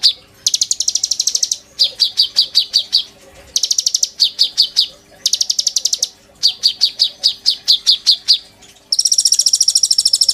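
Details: Van Hasselt's sunbird singing in full, mimicry-filled style, used to coax birds into song: long buzzy high trills alternate with runs of sharp descending chips, ending in a strident sustained rattle.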